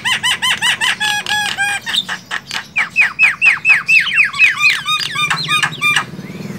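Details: Javan myna in the wild: a rapid run of harsh, harmonic squawking notes, about two a second, shifting into sharp down-slurred whistled chirps, with a quiet low rumble underneath.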